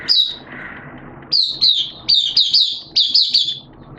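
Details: Oriental white-eye kept as a hobby bird, singing openly on 11 September 2022 in wet, erratic weather: a high sharp note, a pause, then quick clusters of bright twittering chirps in short bursts.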